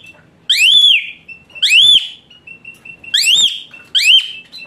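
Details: Asian pied starling song played as therapy to encourage a lazy-singing starling: four loud rising-then-falling whistles with rich harmonics, roughly one each second, separated by a thin steady tone.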